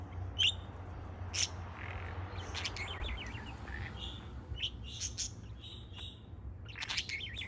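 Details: A parrot at play on July 4 gives scattered high chirps and short rattling trills, fairly soft, with a steady low hum behind.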